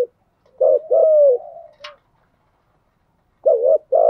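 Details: Decoy spotted dove call used to attract wild doves: a short coo, a longer falling coo, a sharp click, a pause, then another doubled coo pair.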